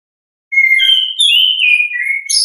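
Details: Natural ngeplong-style song of an orange-headed thrush: after a short silence, a continuous whistled phrase that rises, wavers and slides down again, closing with a burst of very high notes.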